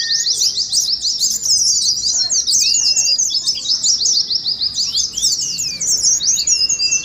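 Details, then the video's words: Oriental white-eye twittering in the wild-type ngeriwik manner, used to prompt caged white-eyes: a continuous, very rapid stream of high chattering notes, with occasional brief rising and level whistles below. "TERAPI PLECI NGERIWIK , PANCINGAN PLECI NGALAS"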